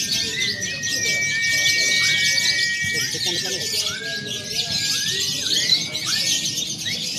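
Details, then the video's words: Lovebirds in a simulated contest mixing konslet, fighter and paud styles for training; continuous shrill chatter backed by long, level whistled tones and repeated upward-swooping notes about every second. "SIMULASI LOMBA LOVEBIRD BEBAS AKSI (KONSLET, FIHGTER, PAUD)"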